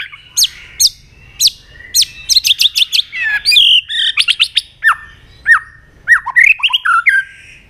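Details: Fighting song of a white-rumped shama used to stir a rival: sharp repeated chips at first, then dense bursts of fast notes, downslurred whistles and a rising whistled phrase near the end, loud and clear against a quiet background.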